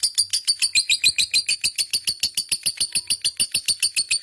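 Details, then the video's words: Lovebird in a long, active ngekek. A rapid, steady chattering of harsh chirps arrives about three and a half per second, with metallic high overtones, in a small room. "burung love bird ngekek panjang gacor"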